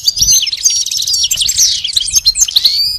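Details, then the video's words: Goldfinch song for teaching a pet goldfinch to sing: a rapid, tumbling stream of high chirps, twitters and short whistles packed tightly together, bright and unbroken throughout, with a low background hum. "Teaching the goldfinch the art of song-advanced lessons in best chirps"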